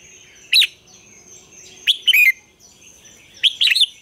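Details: Morning song of a red-whiskered bulbul, a double-note phrasing likened to an old wild bird, meant to train other bulbuls: three short, sharp, warbled phrases, each a quick cluster of rising and falling notes.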